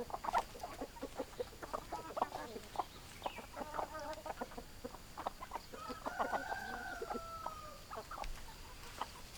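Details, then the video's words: Hens cluck in short, irregular bursts of low, harsh notes, with a drawn-out rising-then-falling squawk partway through and faint background hiss. "Hens Clucking"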